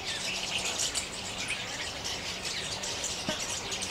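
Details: Small flock of Jungle babblers in open forest, a pair allopreening while neighbouring kin mock-fight: dense, harsh, scratchy chattering bursts overlap continuously, with a steady low hum underneath.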